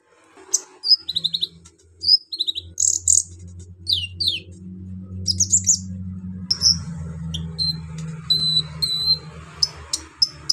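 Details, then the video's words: Harsh, busy song of a brown-throated sunbird, used to rile other sunbirds: rapid sharp high notes and falling slurs in clustered bursts, followed by repeated short chirps, over a continuous low droning hum. "KOLIBRI NINJA GACOR BONGKAR ISIAN KASAR BUAT MENAIKAN EMOSI KONIN BAHAN"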